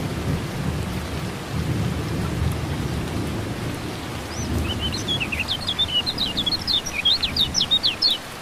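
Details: During a rain treatment meant to coax a silent lemon-bellied white-eye into song, low rumbling noise of rain and thunder fills the first half before the bird starts a fast, high, chattering twitter of sharp slurred notes.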